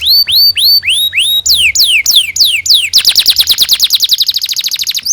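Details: Lively canary song used as a training tutor for young birds: looping upswept whistles, then sharp descending sweeps, speeding into a fast rolling trill of repeated notes about three per second and faster.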